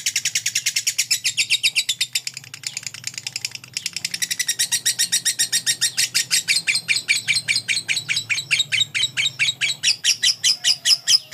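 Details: Lovebird of the fighter type giving a long "ngekek" trill used for training: harsh, rapid chattering pulses repeated steadily for over ten seconds, growing denser and stronger toward the end.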